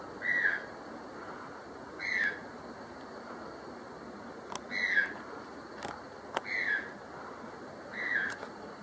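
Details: A white-throated toucan (Vulnerable) calling in secondary forest at Acacías, Meta, Colombia, gives five loud, hoarse yelping notes, one every one and a half to two seconds, with a few sharp clicks and a soft forest hiss behind.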